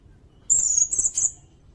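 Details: A single sirindet phrase from a songbird-training recording: a thin, very high whistled trill lasting under a second, broken into two or three quick pulses.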